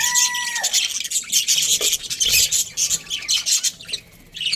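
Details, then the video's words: Australian budgies, a breeding pair, chattering in rapid scratchy high chirps, with a steady whistled tone at the start that then falls away. "Australian budgies breeding pair | Budgies chirping sounds"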